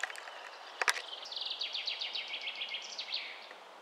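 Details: Song thrush near its nest in a spruce: a clear run of repeated short high notes, phrases stacked quickly over about two and a half seconds, preceded by a couple of sharp clicks.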